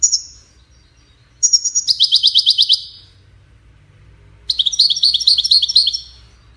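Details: European goldfinch delivering high twittering song: a short note, then a rapid rattle-like trill, and after a pause a busier, varied string of jumping notes.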